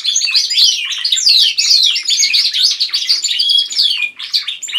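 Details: Canaries kept at home singing as a group, one bird leading the others: unbroken torrent of high twittering, liquid warbles and rapid trilled runs, several voices layered at once with sweeping whistled slurs throughout.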